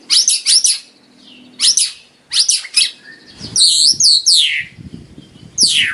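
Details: White-rumped shama song with complete, tidy filler phrases, used to tutor caged birds and make them more active. Quick high chirps and swept notes come in bursts, then a pause, then a long descending whistle near the end over faint low murmur.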